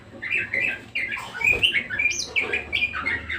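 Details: A budgerigar singing hard, with chattering, scratchy twitters and quick rising squeaks over a low background hum and faint room noise.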